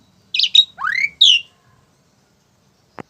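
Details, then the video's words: Loud harsh squawks and rising then falling whistled notes from a tame Asian pied starling, followed by silence and a single click. "Burung Jalak Suren Yang Paling Jinak"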